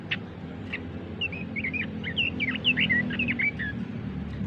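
A Red-billed leiothrix sings a quick, cheerful warbling phrase of rising and falling whistled notes, lasting about three seconds, over a steady low hum.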